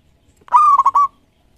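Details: Local zebra dove, a prize-winning bird, giving a single clear cooing phrase: a steady tone broken into a quick stuttering run of short notes, in otherwise quiet surroundings.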